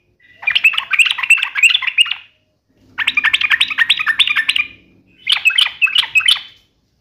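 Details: Lively sooty-headed bulbul singing in the sharp 'uplik nembak ropel' style: three dense bursts of rapid chattering, trilled notes, each about two seconds long and separated by short pauses.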